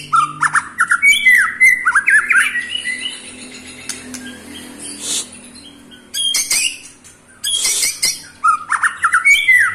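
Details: Eight-month-old white-rumped shama in captivity, singing to rile other shamas: bursts of bright slurred whistles and chattery notes separated by pauses, over a faint steady hum.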